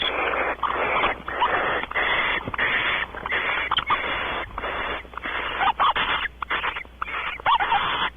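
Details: A mating pair of barn owls on a porch at Audubon Starr Ranch, California, giving almost continuous harsh, noisy screeching. Long rasping bursts are broken by brief gaps, with loudness rising and falling throughout.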